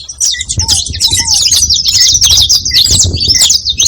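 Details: Many saffron finches calling at once in a continuous, busy chatter of high twittering chirps, with short mid-pitched notes repeated between and a few low falling whistles near the start.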